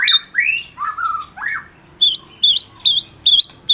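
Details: Caged champion White-rumped shama of the Medan type, used to provoke mute shamas into song: a few lower whistled slurs lead into a series of short, very high twittering notes repeated about twice a second.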